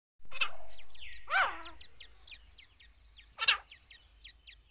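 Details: Female grey francolin, locally called dakhni teetar, during the chicks season: three harsh, rasping bursts at irregular intervals. Many thin, high, quick chirps from small birds run underneath.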